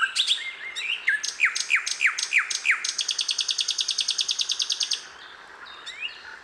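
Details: Wild hill blue flycatcher (sikatan londo) singing in nature: a series of quick descending slurred notes, then a fast, even run of high buzzy chips about four per second, fading into softer twitters.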